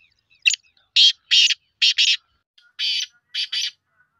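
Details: Black francolin giving a rhythmic series of harsh, grating high-pitched notes in paired bursts, about seven notes over four seconds, with quiet between.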